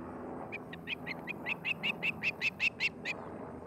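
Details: At a Charlo, Montana nest, an osprey's string of short piping whistles starts soft and builds louder, quickening slightly, over a broad low rumble like distant traffic.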